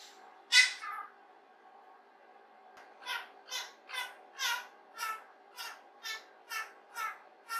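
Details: Rose-ringed parakeet kept as a pet, practising human words alone in its playroom: one loud rasping syllable, a pause, then about ten short raspy notes repeated evenly about twice a second, over low indoor hum.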